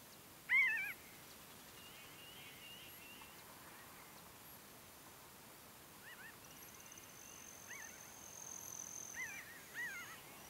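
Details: Nasal, mewing calls from a scattered, foraging Pinyon Jay flock at Great Sand Dunes, San Luis Valley, southern Colorado: one loud up-and-down call, then fainter ones at irregular intervals; a thin high tone behind, maybe Broad-tailed Hummingbird trills.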